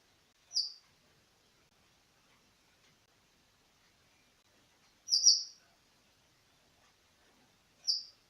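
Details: Siberian thrush song played to encourage young birds to sing: three brief high, thin phrases separated by long pauses, the middle one a quick double note; faint background noise.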